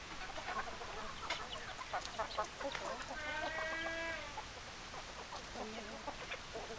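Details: Hens clucking and roosters crowing: a flock gives quick, irregular clucks, about four per second, then a rooster's drawn-out harmonic crow for about a second, followed by more clucking.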